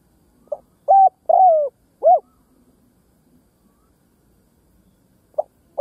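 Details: Lure call of a spotted dove meant to attract other doves: one phrase of a brief lead note, two loud hollow coos and a falling third coo, then silence before the next phrase begins.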